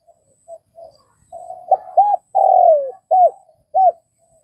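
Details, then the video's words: Vietnamese spotted dove delivering a phrase that builds from faint murmurs into two sharp hooted notes, a long descending coo and two final arched hoots. "Tiếng cu gáy Việt"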